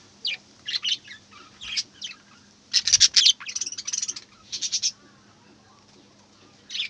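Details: Budgerigar warbling chatter, rapid runs of scratchy chirps and buzzy notes building to a dense loud burst in the middle, then fading to scattered chirps, over a low hum.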